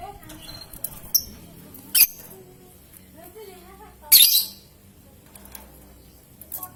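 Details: Lovebird, young (paud) bird, played to provoke long ngekek and ngetik trilling; a thin shrill chirp, then a longer harsh screechy burst, with soft wavering whistles and light background noise.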